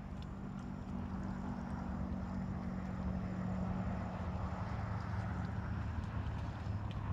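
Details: A continuous rumbling engine drone fills the whole stretch, with no animal voice standing out.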